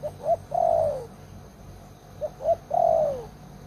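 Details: Decoy spotted dove, an old lure bird with a big voice, calling two quick soft coos and then a long falling coo, the phrase given twice with a pause between.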